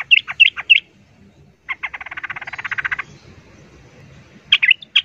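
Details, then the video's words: Noisy yellow-vented bulbul facing off with a wild bird: three bubbling, slurred notes, then a fast rattling chatter of evenly repeated notes lasting over a second, followed by further bubbly notes near the end. "Suara trucukan ribut Garuda ropel tarung vs trucuk Liar bikin trucukan lain ngamuk kepanasan"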